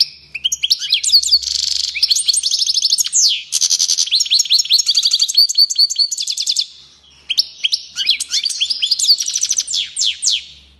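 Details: European goldfinch singing excitedly, long phrases of rapid high twitters, sweeping upslurred notes and buzzy trills, with a clear silent break of about half a second midway before the song resumes.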